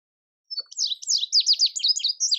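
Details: An Indigo bunting sings a bright song of clear, high-pitched notes that mostly slur downward and come in quick pairs, sweeping along for nearly two seconds against a silent background.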